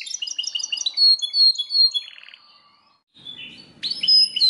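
A Belgian canary sings rapid high trills and bright whistled notes, with a brief pause before a fresh burst of rolling phrases.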